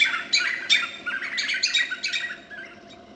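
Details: Harsh chattering notes of White-fronted nunbird, Boca Tapada de Arenal, Alajuela, Costa Rica, 2013, loud at first, then tapering off into fainter calls by the end.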